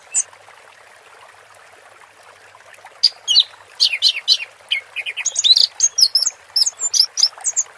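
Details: Anis merah (orange-headed thrush) 'teler' song with water therapy: near silence with a soft hiss for three seconds, then an accelerating string of high chirps and whistled slurs to the end.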